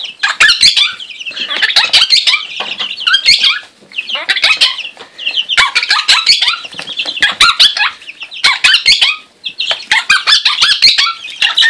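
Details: Quaker parrot kept as a pet, playing with chicks, giving loud runs of harsh, grating squawks and clipped chattering notes in bursts of one to two seconds, separated by brief pauses, with occasional higher squeaks.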